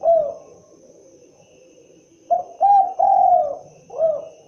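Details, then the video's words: Spotted dove (derkuku, tekukur) calling: a falling coo ends one phrase, then after a pause a new phrase of two short hollow notes, a long sustained coo and a dropping final coo. "suara asli khas burung derkuku(Tekukur)"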